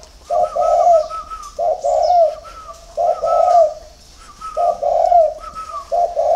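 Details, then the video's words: Spotted doves kept at a dove farm in Ba Vì, Hanoi, Vietnam, singing in the early morning: deep, rolling three-part coos repeated about every one and a half seconds, with faint high chirps of other birds behind. "CU GÁY SÁNG SỚM"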